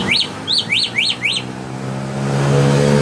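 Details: Common hill myna singing: five quick, bright upslurred-then-falling whistled notes in a rapid series over about a second and a half, then the bird falls silent as a steady low engine-like drone grows louder.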